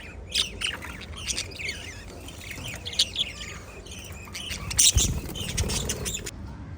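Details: Five lovebirds chirp busily: bright, high, twittering notes come in quick clusters, louder near the end, over a low steady hum.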